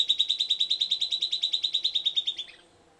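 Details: Song of a silvered antbird: a fast, regular run of around twenty bright, high notes at a steady pitch, closing with a few softer, falling notes before dying out.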